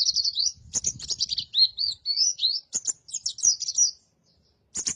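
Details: Caged dakun oriental white-eye singing a master song for training cage birds: a long, fast, high warbling stream of twittered and slurred notes with brief gaps, ending in another rapid burst.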